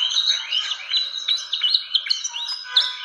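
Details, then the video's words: Fantail calling on an Indonesian lure recording: rapid twittering of short rising and falling whistles, tightly packed and bright, lasting about three seconds. "SUARA PIKAT BURUNG KIPASAN SIKATAN"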